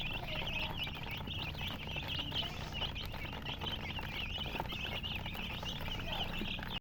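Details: Baby chicks with coloured feathers produce unbroken high chirping, many tiny peeps running together, with faint pattering and low hum below.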